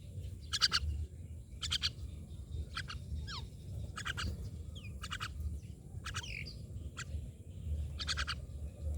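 A myna gives harsh, rasping squawks about once a second, broken by brief whistled notes that slide up and down, over a steady low rumble.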